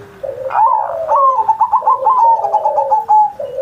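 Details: Captive zebra dove in full song, recorded for Indonesia's 79th Independence Day as a singing model for other doves: one long, tremulous trilled coo, with a deeper, quieter cooing line running beneath it.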